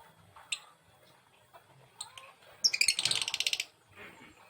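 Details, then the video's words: Male lovebird panicking while separated from its mate: an intense burst of harsh, rapid, high chattering calls lasting about a second, with a few earlier sharp chirps and quiet human speech in an indoor room. "Love bird jantan panik ketika lagi di pisahkan"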